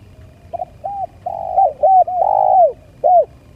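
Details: Spotted dove lure call: a run of hoarse arched coos, one long drawn-out note followed by a final short coo.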